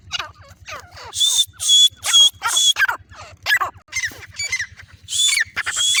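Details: Female black francolin calling in harsh, grating, scratchy notes, several short bursts a second in uneven runs, over a steady low buzzing hum.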